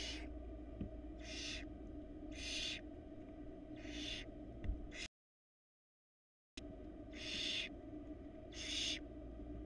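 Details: Barn owls at a nest box on a Florida camera in 2022, after the male brought a rat. Harsh, breathy hissing screeches repeat roughly every second, broken by a short silent gap, over steady low background hum.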